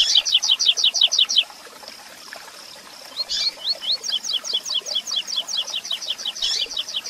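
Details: Double-collared seedeater singing a 'tui tui zel zel' style song meant for contest training: fast repeated high slurred notes, a short pause, then rising whistled phrases that build into a quick run of descending strokes and a harsh final burst.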